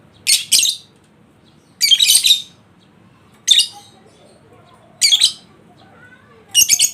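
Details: Lovebird in ngekek song style, played to provoke a lazy bird to sing: harsh, rapid chattering bursts, each under a second long, repeated about every one and a half seconds, five in all.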